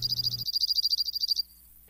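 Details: Dark-eyed Junco (slate-colored race) sings a resonant, fast, even musical trill of high ringing notes, about ten per second, lasting just over a second before fading; winter visitor to backyard feeders.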